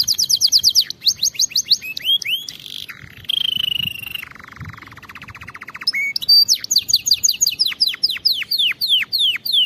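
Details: Canary singing to train other canaries: varied phrases of quick trills, a low drawn-out rolling tour, chattering notes and a closing run of steep descending whistles, all clear and loud.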